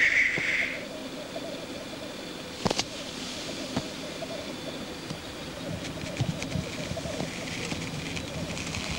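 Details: Displaying male black grouse on the lek: one short hiss at the start, then a long stretch of continuous rolling bubbling from several birds, with occasional sharp clicks.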